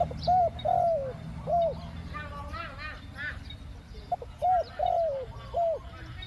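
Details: Spotted dove calling to lure wild doves in the two-word 'ku-ang' coo style: smooth mid-pitched coos, a short note then a longer sliding one, broken midway by a burst of higher chirping from other birds and low background hum.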